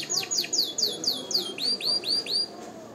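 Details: Canary song meant to excite hens for breeding and to train young singers: clear whistled notes that sweep sharply downward, repeated about every quarter second in a steady series, with faint background hum.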